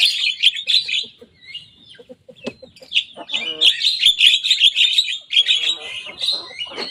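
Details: Young Javan myna singing actively and imitating rivals: scattered clucking notes, then a rapid, rhythmic series of squeaky, rasping chatters, with a pause and a final harsh phrase.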